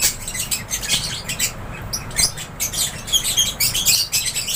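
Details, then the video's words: Aviary lovebirds calling together: busy, overlapping squeaky chirps and short squawks, rapid and unevenly spaced, over a soft low hum. "LOVEBIRDS CHIRPING SOUNDS"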